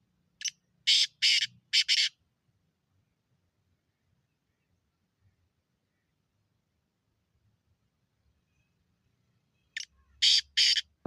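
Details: A black francolin calls twice about nine seconds apart. Each phrase is a brief high note followed by loud, rasping, staccato bursts, with near silence between the phrases.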